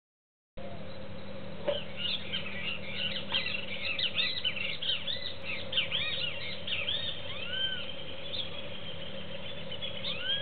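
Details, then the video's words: Juvenile cowbird visiting a seed feeder and competing with doves for seeds; a busy stream of short, sharp chirps and arched, slurred notes, several per second, over steady low background hum. "Tordo Juvenil"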